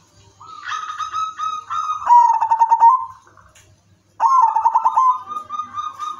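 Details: Perkutut udanmas silver, a zebra dove with a melodious rhythm, singing to prompt others to sing; two loud phrases, each a held coo sliding into fast pulsed trills, split by a second of silence.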